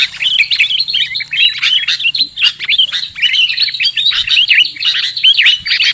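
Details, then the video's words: Sooty-headed bulbul lure call meant for trapping birds, with a stream of quick chirps and sharp, downslurred notes in tight bursts over a faint low hum. "Suara PIKAT Burung KUTILANG"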